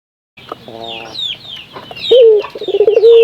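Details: Local Indonesian puter dove calling as a lure to get other doves singing: after chattering, a low rolling coo opens with quick stutters then holds a long steady note, with busy high chirping from small birds throughout.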